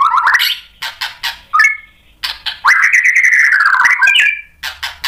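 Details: White-rumped shama singing as a lure to provoke rival birds into answering: rising slurred whistles, short sharp bursts, then a long sustained wavering whistle ending in a brief buzzy trill.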